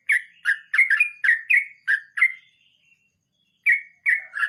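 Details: Sooty-headed bulbul singing in the 'ngeroll mbonang' roll style: seven quick, liquid chirps in a row, a faint trailing whistle, about a second of silence, then three more bubbling notes.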